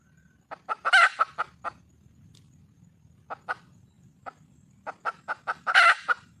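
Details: Wild red junglefowl hen calling for a male: quick clucks lead into a loud, raspy squawk, scattered clucks follow after a lull, and the sequence ends with another harsh squawk amid faster clucking.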